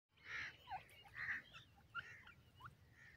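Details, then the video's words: Grey francolin (teetar) chicks, a group playing and feeding in Pakistani woodland, giving short squeaky chirps and trills in quick, irregular bursts over a low rumbling background. "baby pheasants get tired of playing in the forest,teetar chicks"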